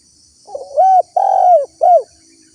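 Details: Spotted dove call played as a lure for wild birds, a soft build-up into three clear coos, the middle one longest and slightly falling, with a faint constant high hiss behind.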